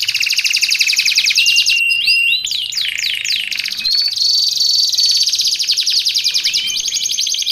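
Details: Canary song meant for training caged birds or luring wild ones: sustained buzzing rolls broken by a burst of looping whistled notes, then a thin drawn-out whistle and more trilling.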